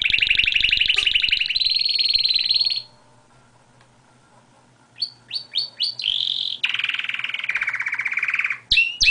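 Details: Pet canary singing outside its cage, its usual habit: a vigorous rolling trill, a pause of two seconds, then a few rapid sweeping notes followed by a long low buzzy roll and a final high burst.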